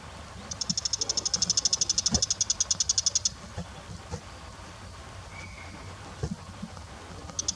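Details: Bull-headed shrike giving a fast, high-pitched chattering burst of about thirty sharp notes over roughly three seconds, then a brief second start at the end; faint background noise.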